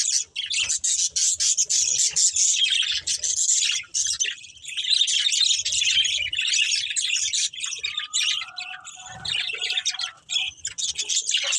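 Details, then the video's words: Budgerigar breeding pair in a family group chirping: dense, busy, high warbling chatter with scratchy buzzy notes, a few brief clear whistles near the end, almost continuous with short pauses. "Beautiful Budgies Chirping Sounds"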